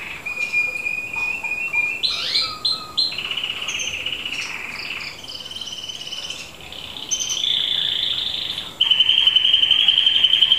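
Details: Red mosaic canary singing in 2012: a varied series of clear whistled phrases and quick trills. Steady tones hold for a second or two before switching pitch, ending in a long, bright, rapid roll.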